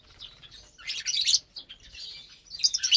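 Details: Morning feeding time for caged lovebirds on 30 April 2022 brings piercing, high chirps that build into loud, rough bursts, with quieter twittering between them.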